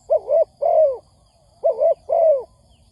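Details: Spotted dove lure call for trapping: two phrases, each a short wavering coo then a longer, smoothly falling hoot-like note, mellow and low against a quiet background.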